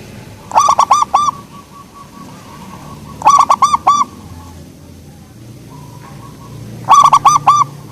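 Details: Three cooing phrases from a soft-voiced local zebra dove, each a tight cluster of four arched notes, with a faint lone coo between the second and third.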